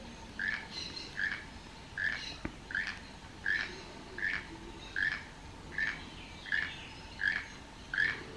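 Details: A male keel-billed toucan perched on a dead tree beside a house at El Valle de Anton, Panama, gives eleven croaking notes at an even pace, about one every three-quarters of a second, against a steady background hum.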